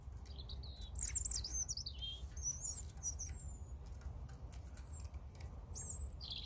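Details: European robin song: thin, high, rapidly varied warbled phrases with sweeping whistles and trills, some very high-pitched notes, over a low steady rumble of background noise.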